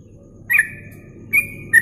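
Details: Yellow-vented bulbul on a masteran training recording for songbird contests, giving short whistled notes in two quick bursts with a slight upward slur, over a low steady hum.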